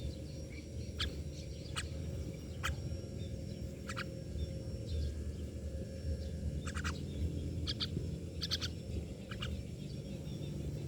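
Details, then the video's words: Mynas calling with sparse, scratchy chak notes, single and doubled, spread irregularly across the recording above a constant low-pitched background hum. "Myna birds part eighteen"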